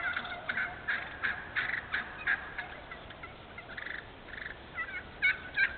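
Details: Wild turkey yelping in a thinned hardwood stand in Moore County, North Carolina: a steady series of short raspy notes, then a pause and a few higher, clearer yelps near the end.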